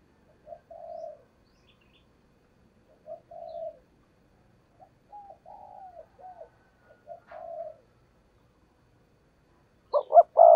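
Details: Spotted dove kept as a lure for trapping wild doves, cooing in short phrases separated by pauses of a second or more, with some stuttered double notes, ending in a burst of louder, closer coos.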